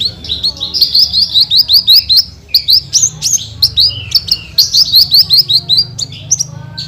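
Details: Australasian bush lark (branjangan) delivering a constant bursting song of high, hurried chirps about two or three per second, with slurred whistles and rattling notes in a jumbled, lively flow.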